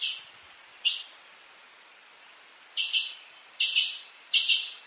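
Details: Azure-winged magpie giving harsh, wheezy, rasping calls, single and doubled, spaced irregularly with quiet pauses between them.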